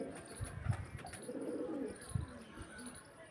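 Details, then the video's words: A low, rolling pigeon coo from a flock of mostly males in Pakistan, heard as a single phrase in the middle, with dull thumps and knocks before and after. "Today we hear the sound of pigeons"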